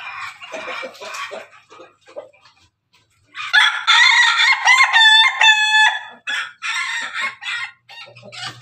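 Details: Pelung and Ketawa roosters crowing together; after quieter chattering notes, a loud harmonic crow breaks into fast staccato laughing pulses, followed by shorter repeated bursts.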